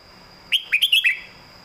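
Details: Red-whiskered bulbul master song used for training caged birds, in a southern Thai style: one short burst of about five quick, clear whistled notes that slur up and down, over a steady faint high background tone.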